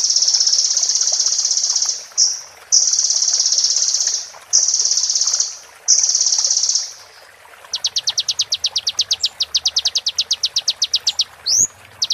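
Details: Kolibri ninja song for training during moult: first a series of long, steady, high, hissing bands with short breaks, then a fast roll tembak run of crisp repeated high notes ending in rising whistles.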